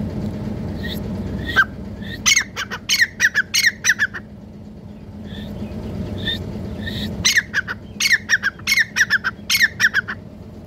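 Grey Francolin giving loud, harsh, rhythmic squawking notes in two bursts of about a dozen calls each, over a low steady hum.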